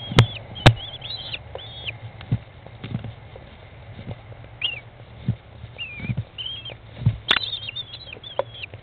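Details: American kestrel chicks on day 15 being fed by their mother in a nest box, 20 May 2011 at 13:54; scattered high, whiny chirps and trills over frequent heavy thumps and scraping.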